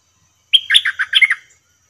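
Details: A stripe-throated bulbul gives a short, quick, chattering warble of about one second, with bubbly notes tumbling up and down. The call is used as a decoy during trapping, and a wild bird comes quickly to the cage.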